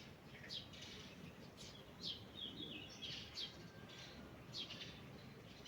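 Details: Forest birds singing in the morning: scattered high, thin chirps and short twittering phrases a second or so apart, over a steady low rumble of background noise.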